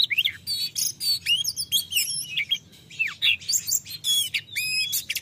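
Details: An Oriental magpie-robin sings a loud, rich run of varied whistles, slurred rising and falling notes and quick buzzy trills, phrase after phrase with barely a pause, a song meant to provoke lazy or silent magpie-robins into singing.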